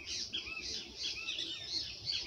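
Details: A Great kiskadee in Brazil, near a mesh-screen arapuca bird trap during a trapping attempt, gives a dense run of bright, high chattering notes, loud and nearly continuous, with overlapping phrases.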